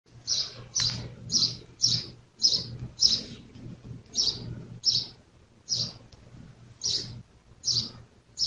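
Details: A house sparrow in Jeddah, Saudi Arabia, recorded in 1441 AH, where the species is present year-round, gives a run of bright, harsh chirps, one or two each second at a loose, uneven pace, over a faint low hum.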